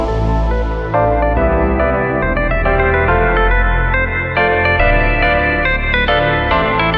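Only sustained keyboard or organ-like ambient music is heard, with no animal sounds.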